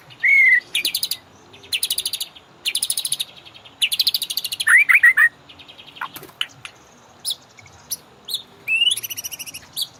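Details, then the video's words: White-rumped shama song used as a master for training caged birds to sing: a rich run of buzzy rattles, clear slurred whistles and a quick stuttering phrase, with varied notes following. "MASTERAN MURAI BATU; Cocok buat pancingan burung ngorak"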